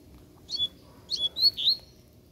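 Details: Wild double-collared seedeater, free and aggressive, challenging to fight, with a female close by: a quick run of sharp, high whistled notes, four short bright bursts within two seconds, over quiet background.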